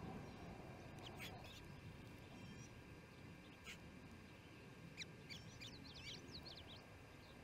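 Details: Ospreys at the Charlo nest during the second evening feeding, June 18, 2018, about 7pm MDT; faint high, thin rising chirps cluster near the end, several in quick succession, over steady low rumbling background noise.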